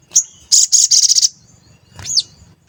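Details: Sooty-headed bulbul lure song meant to trigger other birds into singing and agitation: a sharp high whistle, then a rapid burst of loud buzzy high notes, and a high rising-falling slurred note after a pause.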